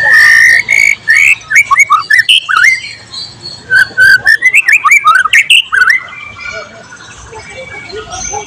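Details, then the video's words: White-rumped shama singing prolifically, its song filled with imitated material from cililin, cucak jenggot, canary and lovebird, recorded 12 July 2023; loud run of varied whistled notes and quick rising and falling slurs for six seconds, then quieter trailing notes. "siulan murai batu gacor tembus materi isian"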